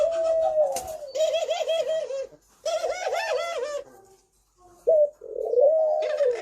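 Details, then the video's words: Spotted dove thổ pháp song, used to provoke rival males and females: a smooth coo, then two bursts of rapid wavering, bubbling coo notes separated by short gaps, ending with a sharp note and a long coo. "Tiếng Chim Cu gáy thổ pháp mới nhất 2023 hay nhất dùng kích bổi kích trống kích mái"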